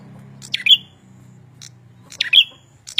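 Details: Red-headed prinia in lively full song: short, sharp, high chirps in quick bursts, two clusters about 1.7 seconds apart, over a low steady hum.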